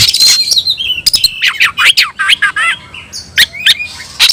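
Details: Vigorous oriental magpie-robin song in the new tayoraky variant, bird fanning its tail: rapid dense bursts, sliding whistles and sharp clicks, then a few spaced notes.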